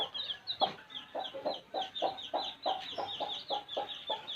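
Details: Baby chicks in a village, steady high peeping above short low clucks repeated about three times a second in an even rhythm.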